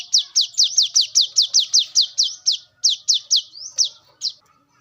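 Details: Wild brown-throated sunbird, recorded as a lure for calling birds: a fast run of high, sharp downslurred notes, about two and a half per second, briefly pausing, then a few more notes and a rising slide near the end.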